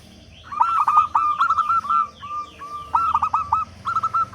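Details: Local zebra dove, loud-voiced and singing freely, used as a lure to make other doves start calling: mid-pitched cooing phrases of stuttering, trilled notes, with a short level coo between bursts and faint background rustle.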